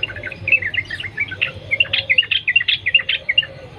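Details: Wild yellow-vented bulbul used as a song lure: a rapid, jumbled twittering of bright bubbly notes, rising and falling in quick succession, over faint background hum.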